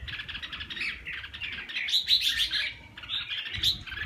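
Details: Red-whiskered bulbul from Vietnam delivering rich, bubbling warbles with brighter whistled notes in the middle, continuous and fast, over quiet background rustle.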